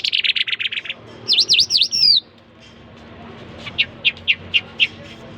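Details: A jal, or jal mashhadi, sings: a quick buzzy rattle, a few loud swooping whistles, then a pause and a spaced series of soft, short notes.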